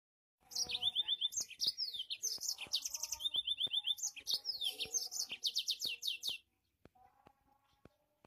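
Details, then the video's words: Yellow-fronted canary delivering a powerful, rapid song of bright, high trills and sharply down-slurred whistled notes, run together for about six seconds, then a brief pause with soft, low chirps. "burung mozambik suara gahar"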